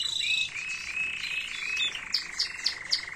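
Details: Error-free canary song from 2022, meant as a model for young birds to learn. A low rolling trill of linked slurred notes gives way to sharp, bright notes repeated about four times a second.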